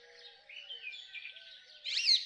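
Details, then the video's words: Rose-ringed parakeet: a sharp, harsh, rising screech at the end follows softer warbling from other birds and low whistled notes in the background. "Rose ringed parakeet Song ! Rose ringed parakeet Call ! Rose ringed parakeet Sounds"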